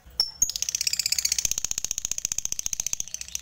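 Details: Lovebird fighter opening its ngekek chatter, used to call rivals so silent lovebirds start singing; a couple of sharp clicks, then a rapid, steady stream of buzzy pulses that gradually fade.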